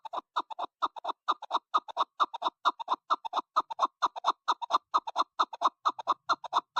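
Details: Chukar partridge calling, a recording used for hunting: a fast, steady run of loud clucking chuk notes, often in pairs, repeating without pause throughout against a quiet background.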